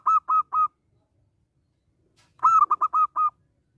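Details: Zebra dove cooing, a local bird whose song is played to lure doves into singing and into traps. A short run of three hollow notes ends, then after a pause comes a fuller phrase with a fast stuttered start and evenly spaced coos.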